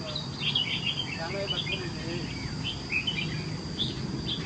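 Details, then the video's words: Caged red-whiskered bulbul of the Huế type, kept in a yellow cage and described as a fine singer in natural peak form; bright, short chirped notes come in quick clusters, with faint human speech and low background noise underneath. "sieu pham hue giong hay, canh bam sinh"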